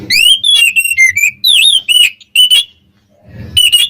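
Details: Kacer (Oriental magpie-robin) singing to set off rival birds: quick sequence of clear, warbling whistles with rising slurs, a brief quiet gap, then a final whistled burst over low noise.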